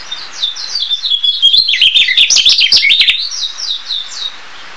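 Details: Narcissus flycatcher (Ficedula narcissina) singing a dense, fast warble of high whistled and chattering notes. Phrases start sweet and lilting, build into a loud jumbled burst in the middle, then ease back into softer repeated whistles.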